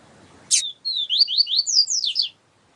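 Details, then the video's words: Tutor song of a yellow-bellied seedeater in the siu siu style, with a female heard calling. After a sharp click, a quick series of about eight high, thin, slurred whistles rises and falls briefly. "Papa capim siu siu com Fêmea chamando para Esquentar papa capim siu siu"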